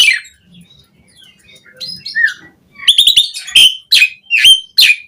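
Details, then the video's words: Asian pied starling song for training captive starlings: a few faint scattered notes at first, then a loud series of sharp, whistled chirps repeated about once a second. "Suara Jalak Suren Gacor Full Isian Variasi"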